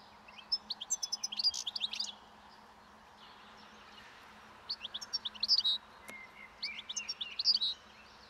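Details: Wild European goldfinch feeding on old thistle seeds along a roadside as spring approaches, giving its breeding song: three bursts of bright liquid twittering and trills separated by short silences.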